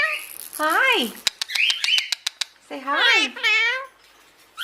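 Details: Caged Indian ringneck (rose-ringed parakeet) playing on its cage mimics human speech in two short, voice-like phrases, with a run of sharp clicks and a brief chirpy whistle between them.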